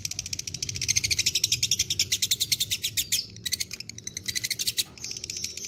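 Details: Long ngekek from a fighter-type lovebird: a rapid, high, buzzy rattle of even pulses, growing louder around the first second, with short breaks near three and five seconds before the trill resumes.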